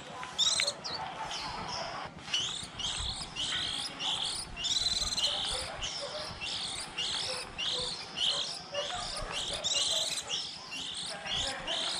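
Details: Young white-eyes of the early 2020 season, when chicks start leaving the nest in April, recorded for trapping: a steady stream of high, sharp, twittering notes from several birds over twelve seconds.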